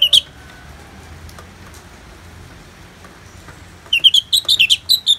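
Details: Orange-headed thrush in ngeplong style, from a recording mixed with natural rain: one short whistle, nearly four seconds of low hiss, then a lively run of about eight quick, twisting whistled notes.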